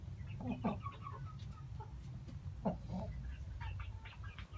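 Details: Dark Brahma breeding hens kept as ornamental chickens in Istanbul, Turkey, giving a few short low clucks and soft harmonic calls, with faint other flock sounds and a low background hum.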